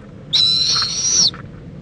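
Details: An owl mother joins her owlet for preening at a nest in Indiantown, Florida, on February 26, 2014 near midday; a single steady, piercing whistled screech of about one second, high and slightly hoarse, over faint low background hum.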